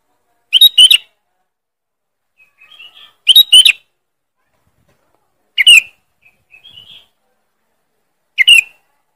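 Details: Sooty-headed bulbul lure call, described as loud and sharp: harsh, strident double-burst chirps repeated about every two and a half to three seconds, with softer short twittering notes between bursts; no other sounds.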